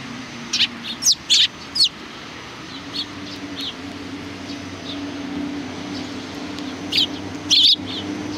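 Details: Sparrows greeting on 27 July 2020: clusters of sharp high chirps at the start and again near the end, with softer notes between, over a low steady mechanical hum.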